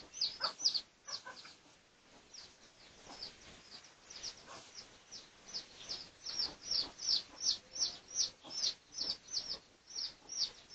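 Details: Pradu-coloured red junglefowl in a research recording from 18 August 2023: faint, scattered high peeps at first, then a steadier series of shrill peeps, about three per second, growing louder toward the end.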